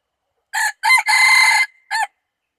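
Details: Red junglefowl, a wild chicken, crowing, recorded 24 February 2019: a short harsh note, a two-part rising syllable, a long sustained raucous middle, then a brief clipped final note, all loud and clear against silence.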